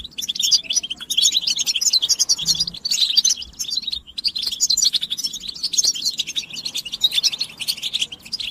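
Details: Almost unbroken twittering from a European goldfinch in batbata style: fast, high, jingling notes mixed with rasping buzzes, pouring out steadily with only a short break past the four-second mark.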